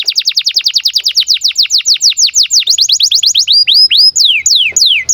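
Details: Canary singing in breeding condition, a recording meant to coax young canaries into song; a fast, even run of high downward-sweeping whistles, about six per second, then a few slower looping upslurs and long falling whistles.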